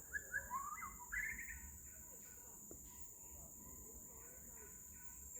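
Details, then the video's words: White-rumped shama in Singapore, 10 May 2026, gives a quick run of rich, slurred song whistles over about a second and a half, then falls quiet over a steady, high insect hiss. "White-rumped Shama sing beautifully"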